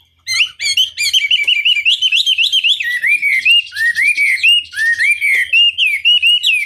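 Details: Chinese hwamei delivering a long, energetic string of clear, arched whistles, rising and falling in rapid rhythm and dropping lower midway before climbing again.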